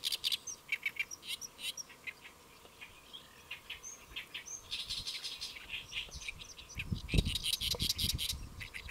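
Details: Great reed warbler singing while perched on a lotus leaf at Saemangeum, Gimje, Jeollabuk-do, South Korea, around noon on 1 July 2024: harsh, grating notes in quick repeated series, ending in a louder burst with low rumbling noise.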